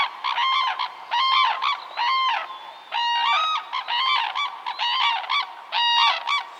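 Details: A mated pair of Red-crowned Cranes in Japan give their unison call, a loud, rhythmic duet of ringing bugled notes about once a second with overlapping rasping harmonics.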